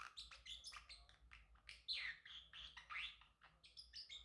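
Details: Male Pacific parrotlet singing at home: a fast, jumbled stream of squeaky chirps, rasps and short whistles, about one note a second in uneven bursts, with no pause.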